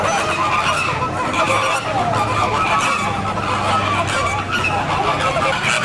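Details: Pink flamingo flock at San Diego: many birds honk together in a constant gabbling, goose-like clamour, over a low mechanical drone.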